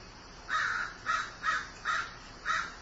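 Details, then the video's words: Grieving crow opening with a drawn-out hoarse caw followed by four shorter rasping caws in quick, steady succession. "Grieving Crow"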